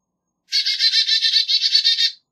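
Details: Black-capped chickadee call: a fast, harsh string of about a dozen buzzy 'dee' notes over under two seconds, with no other sounds.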